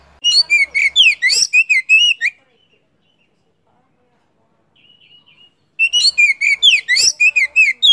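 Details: Song of an Oriental magpie-robin from Vietnam: two dense phrases of fast, varied whistled and chattering notes, each about two seconds long, separated by a quiet gap with a faint soft note.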